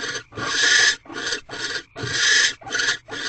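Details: At night in an owl nest box, a male barn owl returns with prey and mates with the female. Loud, rasping, broadband hisses repeat in steady bursts, some longer and some clipped short, with brief silences between them.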